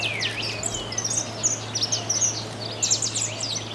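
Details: Saffron finch song from the Argentine littoral region: a busy run of sharp, high chirps and short slurred notes, perhaps more than one bird, over a steady low hum.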